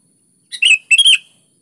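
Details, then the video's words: A lively sooty-headed bulbul phrase: a soft lead-in note followed by two longer, warbling notes that bend up and down, all within about one second. "SUARA BURUNG KUTILANG GACOR"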